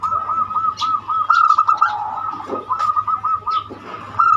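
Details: Zebra dove of the banyumili voice style, used as a lure to set other doves singing: repeated pulsed cooing notes run through the whole stretch over a steady ringing tone, with scattered faint chirps above.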